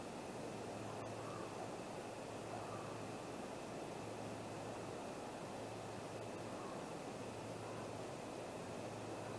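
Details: Steady broadband hiss with a low electrical hum and two faint ticks, no animal sound present.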